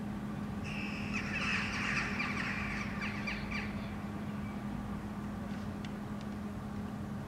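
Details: Several Eurasian jackdaws resting on a rooftop in the evening sun in Helsinki, Finland, in August 2013, suddenly call together in a coordinated chorus. They give short, sharp overlapping calls for about three seconds, then fall quiet, over a steady low hum.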